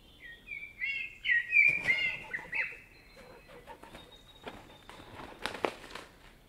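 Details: Common blackbird singing in a forest in Spain: a quick warbled phrase of mellow, slurred whistles, followed by a thin, high sustained note and several sharp clicking or rustling bursts toward the end.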